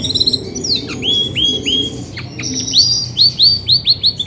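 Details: Grey and white female Belgian canary, which sings a lot when ready to brood, delivering a high song of repeated downward-curving whistled notes, then a faster rolling series of bright rising-falling syllables, with a low background hum.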